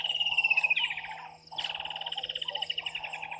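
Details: Water thick-knees at a waterhole on Djuma Game Reserve, Sabi Sand, South Africa, at 18:42, give rapid piping whistled notes that slide slightly downward, pausing before resuming, over a lower trilling chorus, likely frogs.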